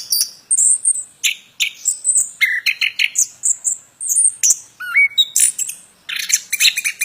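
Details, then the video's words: Plontang bird in energetic song, a fast stream of high sharp chirps, squeaky slurs and occasional lower upswept whistles, running almost without pause. "Burung Plontang suara mantab"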